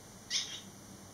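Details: Barn swallow fledglings, three young returning 11 days after leaving the nest, give a single short high chirp, bright and sharp, standing out above a steady background hum.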